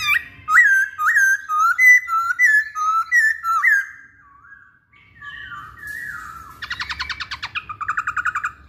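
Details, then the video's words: Masked laughingthrush in energetic full song: a run of loud, clear whistled phrases, each a rising then dipping slur repeated about every half second. After a pause come softer whistles, then rapid buzzy chattering bursts. "Burung Poksay Hongkong Gacor"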